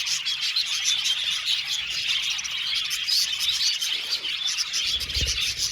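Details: Many budgerigars chirping together in an aviary: a busy, high twittering chorus with some clearer whistled squeaks standing out, and a soft low thump near the end.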